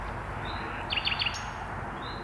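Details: Common nightingale singing at dusk, hidden deep inside birch bushes, one of two birds present: a short, quiet phrase of three quick, sharp notes around the middle, over a low background hiss.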